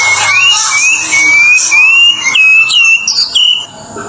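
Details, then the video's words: Indonesian white-rumped shama giving a series of clear, high whistled notes, each slurring upward, about three per second, climbing slightly higher toward the end. "Kicauan Murai Batu dari berbagai jenis Mutai yang diwilayah Indonesia"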